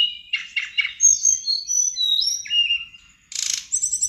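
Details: Sirdadu bird from Bali singing busily, a song used as a lure so other sirdadu birds answer: buzzy chattered bursts, then high whistled slurs rising and falling, a harsh burst, and a fast rippling trill at the end.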